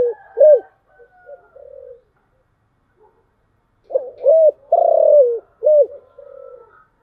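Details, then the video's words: Spotted dove cooing in the thổ chiêu gù style: two phrases of short hooting coos, each with a long drawn, gently falling middle note and a softer trailing coo, separated by a pause of about two seconds. "cu gáy/ cu gáy giọng thổ chiêu gù"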